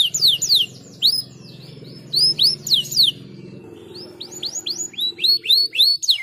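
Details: Caged canary singing, used to prompt singing: clusters of steep curved whistles separated by short pauses, ending in a rapid string of hooked chirps, over a faint low hum.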